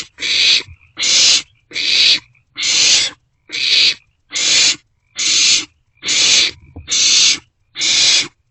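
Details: Barn owlets begging in an owl box at night, 27 March 2024, while sharing food. Ten hoarse, noisy screeches come at an even, steady pace, a little more than one per second.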